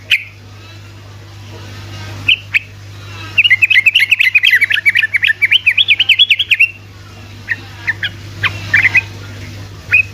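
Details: Sooty-headed bulbul delivering ropel song as bait for reluctant bulbuls: a few isolated chirps, then a long, unbroken run of quick, rising and falling warbled notes lasting about three seconds, followed by scattered calls, with a steady low hum.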